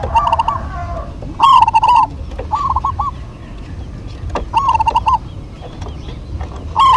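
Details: Duetting local Zebra doves trade bubbling coo phrases of clipped introductory notes and warbling, wavering coos. One phrase follows another after a pause, over a constant low rumble with occasional sharp clicks.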